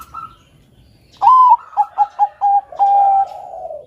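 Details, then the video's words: Bangkok-type zebra dove singing melodiously as a master recording for training doves: a faint high note, then a rising fluty coo, four quick staccato notes and a long, slowly falling final coo. "BUNYI SUARA BURUNG PERKUTUT BANGKOK GACOR SUARA MERDU COCOK UNTUK PANCINGAN TERAPI MASTERAN KUTUT"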